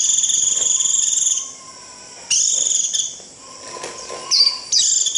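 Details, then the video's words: White-eye giving its trilled 'rít' flock-calling call, used to lure birds: high, thin, buzzy trills held about a second and a half, separated by short pauses, with a fainter lower whistled tone between bursts. "Tiếng chim vành khuyên rít √ siêu gọi bầy cực kỳ nhậy gọi là về"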